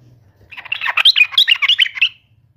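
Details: Yellow-vented bulbul calling to provoke an opponent: a single dense burst of rich, gurgling and whistled notes tumbling quickly for about one and a half seconds.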